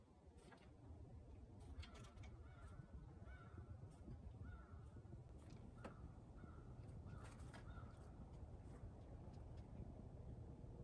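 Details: Blue jay vocalizing toward the person filming: a loose series of short, hoarse, nasal notes with ringing harmonics, some clustered in quick pairs, spread over about eleven seconds above a steady low rumble of background noise.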